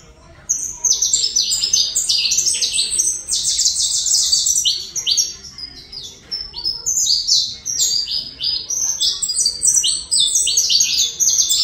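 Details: Saffron finch song from Colombia, a dense, lively stream of high, sharp chirps and short falling notes delivered in fast overlapping bursts for most of the recording, with only brief dips in intensity.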